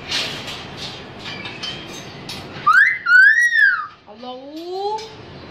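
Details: Pakistani talking myna: after murmured background speech, clear whistled slurred notes rising and falling, then a lower rising-falling whistle, sounding like mimicked words amid people repeating "Allah".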